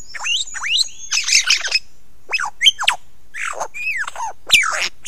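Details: Close-up lyrebird performance on Ben Ricketts at 9 AM on 16 November 2022, with rising whistles, a harsh rattling burst, then varied upslurred and downslurred whistled notes in an irregular sequence.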